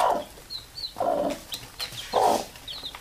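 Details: Hen calling baby chicks to settle for sleep, a low cluck about once a second, three times, with soft high chick peeps scattered between.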